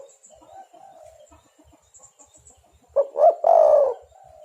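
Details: Spotted dove, derkuku, heard as a lure for trapping doves: faint distant coos and chirps, then one loud phrase near the end of two short notes and a long hoarse coo.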